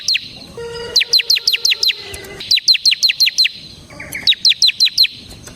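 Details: Bar-winged prinia singing ngebren style, a semi gacor bird recorded as a training lure: three bursts of about seven sharp, high, falling chirps in rapid succession, with a faint low hum and scattered soft notes between them.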